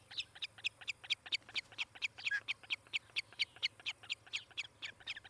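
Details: At a Montana osprey nest near Charlo, nest camera, 18 July 2018 around 10:30: rapid, continuous shrill chirping, several notes per second, one bird's calls overlapping another's faintly, over a low background hum.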